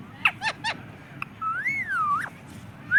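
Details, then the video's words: A parrot kept as a talking pet, said to say "mummy papa", gives three quick squawky notes, then a long smooth whistle that rises, sways and falls, over low background murmur. "mummy papa bolne wala tota"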